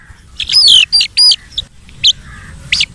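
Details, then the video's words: Baby chicken chick giving alarm-like calls: a burst of shrill, high, downward-sliding peeps in quick succession, then two more sharp isolated peeps after a short pause, over a quiet background. "Baby Chicken Sound Like a Alarm"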